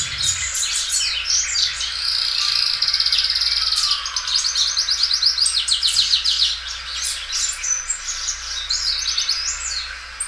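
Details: Belgian canary, a loud, well-kept singer that repeats and stretches its song several times; sustained rolling high trills with a steady buzzing tone, then faster stuttering notes fading toward the end.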